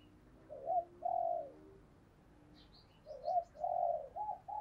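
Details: Decoy spotted dove cooing in challenge and call to attract wild doves: faint, rounded coo notes in two short groups over a hissing background, with brief high chirps from another bird in between.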